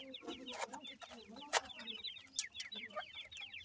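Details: Brown irani teetar chicks, Iranian partridge, taking food from a parent: a steady stream of thin, falling peeps, several birds overlapping, with faint low clucks and two sharp clicks.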